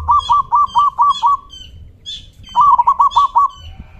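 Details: Local zebra dove calling loudly to provoke other doves to answer, a deep 'kung'-type voice; two bursts of six rapid, evenly spaced cooing notes each, separated by a short pause, with a faint higher chirp between.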